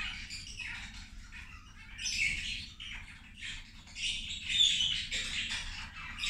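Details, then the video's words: Feeding zebra finches at lunchtime give scattered nasal, squeaky calls, sparse at first, then busier bursts of chatter from several birds in the second half, over a quiet low hum. "Australijske zebe ručak"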